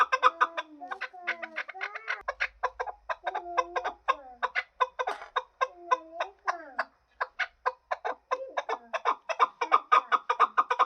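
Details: Chukar partridge call used for hunting. A rhythmic series of clucking chuk notes repeats about three times a second, with interwoven lower, drawn-out notes in the middle stretch.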